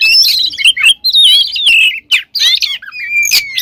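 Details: Oriental magpie-robin (kacer) in full, filled-in song used as a lure: long sweeping whistled slides mixed with harsh rasping bursts and a sustained steady whistle near the end.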